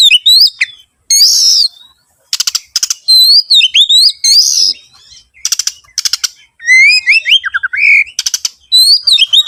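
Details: Energetic Oriental magpie-robin song played as a lure: rising whistled slurs alternate with dry, rattling, scratchy bursts. Melodic warbling runs sink lower toward the end.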